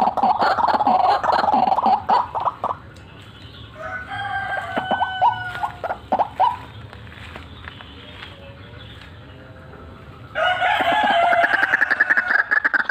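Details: White-breasted waterhen, calling hard with cackles and rolls: a loud croaking run, then quieter spaced harsh notes, then a renewed loud rapid series.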